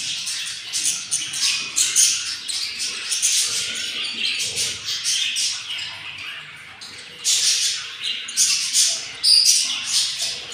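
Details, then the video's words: Hungry yellow budgerigar chicks from a nest of four hatching eggs, day 7, give raspy, hissing begging bursts in irregular surges, with louder peaks near the end. "yellow budgies take caire of their nest and hatching 4 eggs and they are very hungry"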